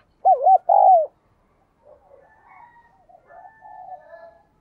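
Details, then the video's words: Spotted dove singing in the prized 'giọng đồng kim' voice style, also called 'đồng chuông' (bell voice), described as ringing and resonant. Two loud, low rounded coos in quick succession, followed by faint, softer murmuring notes. "cu gáy/ cu gáy giọng đồng kim"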